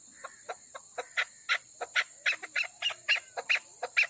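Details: Female chukar partridge from Pakistan giving spaced, sharper notes about four per second, each with a brighter upper tone that rises slightly over the run, and a faint steady whine in the background.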